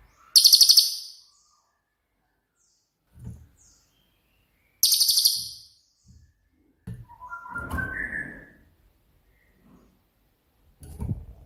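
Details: Cililin, a bird with 'tembakan' style song, used as master audio for training songbirds like cucak ijo and kacer; two brief, very high rattling trills several seconds apart, with a lower rising whistle from another bird and faint thuds between.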